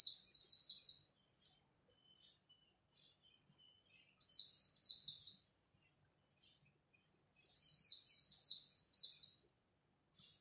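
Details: Dawn competition song of a white-eye, líu style: three loud runs of high, sweet twittering notes about three seconds apart, softer chips between them, otherwise quiet.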